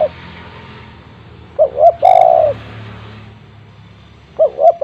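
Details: Spotted dove call meant to make silent doves at home start calling: two quick coos, then a long, loud, rolled note, and later two more short coos, over a steady background hiss.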